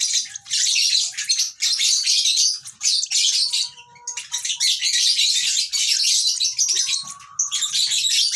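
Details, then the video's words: Young lovebird chatters in long stretches of harsh, high chirps, pausing briefly twice, with a faint rising whistle near the end. "lovebird sounds baby bird - lovebird chirping sounds"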